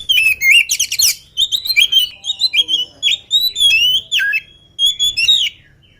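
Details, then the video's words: A lively oriental magpie-robin sings before being fed: a rapid, continuous run of bright whistled phrases, chattering high notes and swooping slurs, repeated in quick bursts with almost no gaps. "KACER GIRAS/GESIT BELUM MAKAN VOUR GACOR"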